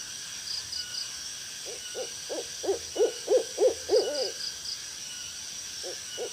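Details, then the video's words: An owl gives a quick run of about ten low hoots, roughly three a second, swelling then fading, over a steady high insect hiss. "Suara Burung Hantu Yang Menyeramkan - Owl Sound"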